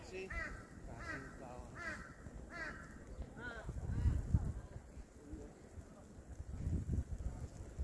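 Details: Red-crowned cranes at Kushiro Tancho Nature Park, Hokkaido, Japan, in snow, giving a series of loud, ringing trumpet calls, several per second, over low rumbling background noise and possible distant voices.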